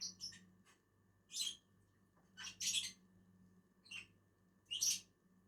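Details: While feeding in a tree, a pair of lovebirds gives a few sharp, shrill, high squeaks at irregular intervals over about five seconds, with a quiet steady hum behind.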